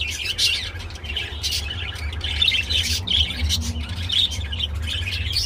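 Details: Budgerigars mating, giving a mating call: continuous scratchy chattering and squawky warble notes high in pitch, with short loud bursts throughout, over a steady low hum.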